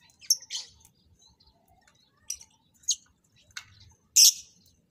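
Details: Lovebirds brought together for mating pairing in captivity; sharp, shrill chirps spaced irregularly, finishing with one very loud, screechy call.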